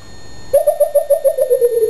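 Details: Coucal begging for cheese and performing with song and dance gives a rapid run of about eleven hollow, bubbling hoots, evenly spaced and slowly falling in pitch, with a faint high whine underneath.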